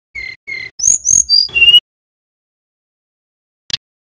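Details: Male mountain tailorbird from Banyuwangi, recorded as a tutor track for training cage birds. A short burst of high, pure whistled notes: two level whistles, then sliding, rising and falling ones. Silence follows, broken by one faint click near the end.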